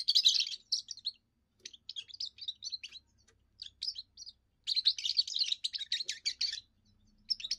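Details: European goldfinch, a young bird in its first song, which serves for territory defence and courting females: dense twittering bursts alternating with short chirp phrases and brief silences.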